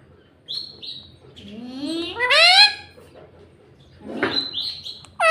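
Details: Talking parrot kept as a pet, which says "mummy" and "mitthu": short high squeaks, then a long rising, harmonic, voice-like sweep, followed by more squeaks and a sharp final note.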